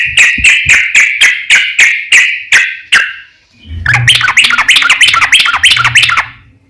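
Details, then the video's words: Yellow-vented bulbul singing a long 'ropel' song used as a lure for other bulbuls: evenly repeated bright chirping notes for three seconds, then a denser, busier bubbling phrase over a low hum. "trucukan gacor ROPEL PANJANG pancingan trucukan agar bunyi burung trucuk gacor NYAUT"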